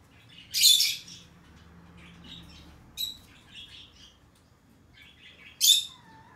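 A Fischer's lovebird gives two loud, harsh, shrill shrieks about five seconds apart, with softer twittering and chatter in between, in a quiet room.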